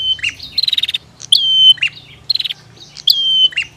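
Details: Bar-winged prinia, female versus male: short rattling buzzy bursts alternating with flat high whistles that start with a sharp flick, roughly three exchanges.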